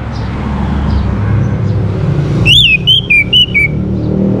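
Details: Song of an orange-headed thrush, used to encourage other birds to start singing: a short burst of four or five loud, slurred whistles, each slightly different in pitch, against a steady low background rumble.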